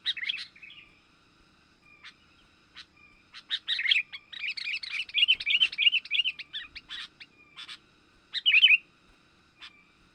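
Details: Lure recording of Sooty-headed bulbul for attracting wild birds: scattered sharp chips build into a long, busy run of bubbly, warbling chatter, then trail off into sparse notes and one final loud burst.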